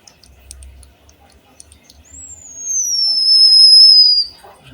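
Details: Single long high whistle from a Java sparrow singing canary-like isian kenari phrases, rising briefly then gliding gently downward for about two seconds over near silence.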